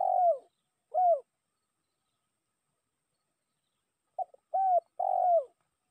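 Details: Spotted dove calling to draw in a rival: two drawn-out, falling coos open the recording, then after a quiet pause a fresh phrase of a short clipped note followed by two soft, downward-sliding coos.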